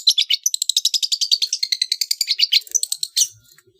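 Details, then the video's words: Long-tailed shrike, trotol style on a training recording for competition birds: a dense, rapid, high trill of clicking notes running nearly three seconds before stopping abruptly. "MASTERAN TROTOL CENDET JUARA"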